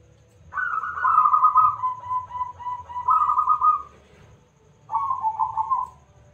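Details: Local zebra dove singing loudly as a lure for other doves to reply. One long rolling coo phrase lasting about three seconds, a pause, then a shorter bubbling trill, over soft low-pitched background noise.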